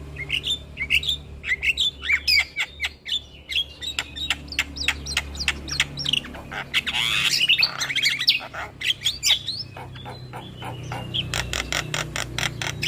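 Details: Black-winged myna song played as a lure to prompt stressed caged birds to sing, a dense run of sharp, harsh chirps and squawky notes, rapid and uneven, with a brief noisy burst midway.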